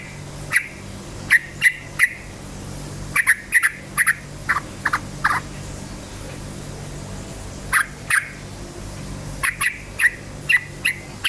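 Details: Yellow-vented bulbul singing vigorously in a rapid 'cukcuk ropel' style, used as a lure to provoke other bulbuls. Short, sharp notes come in pairs and small clusters over a steady low hum.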